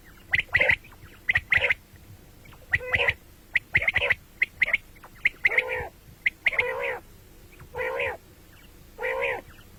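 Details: Quick, crisp double and triple notes from common quail, morning and night sounds, giving way in the second half to a run of harsh, buzzy squawks spaced about a second apart.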